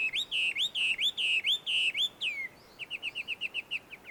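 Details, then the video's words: Chinese hwamei singing wild in a small wood at a Tenmangu shrine, Joso, Ibaraki, Japan: loud repeated upswept whistles, a long slurred note, then a fast string of short bright notes. "ガビチョウの鳴き声鳴き声。suara merdu Poksai di alam liar!"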